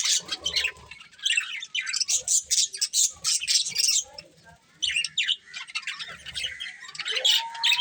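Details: Chirping from colourful budgies: rapid scratchy chatter and twittering in several bursts, a brief quiet gap near the middle, and a rising whistle near the end.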